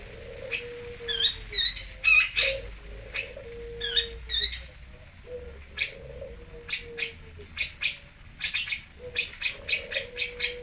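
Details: Varied, jumbled song from a Singosari long-tailed shrike (toet): short buzzy and whistled notes alternating with harsh clicks, accompanied by repeated low, flat whistled tones in the background.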